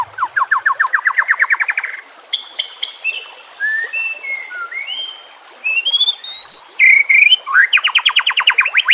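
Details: White-rumped shama song for training birds: a fast rising trill of repeated notes, clear whistled slurs at varied pitches, then another rapid repeated series; faint water sounds behind.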